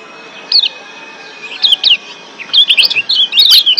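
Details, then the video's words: Lombok white-eye (yellow kecial) lure recording to raise breeding condition and make birds active in song: quick, high twittering chirps in short bursts, sparse at first, then a livelier run of sharp notes near the end. "Ciak Joss Kecial Kuning GEBOKAN LIAR Ampuh Naikin BIRAHI Bikin AKTIF BUNYI"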